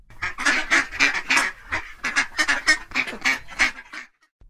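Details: Duck calling in a rapid run of nasal, harmonic quacks, about three or four per second, each short and rough, continuing for roughly four seconds before stopping.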